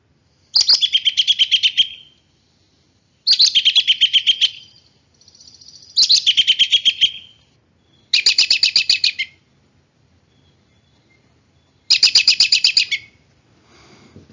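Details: American robin giving its common little-horse whinny call, made by both sexes: five bursts of rapid, shrill, horse-like whinnying notes, each just over a second long, spaced a few seconds apart; nothing else stands out.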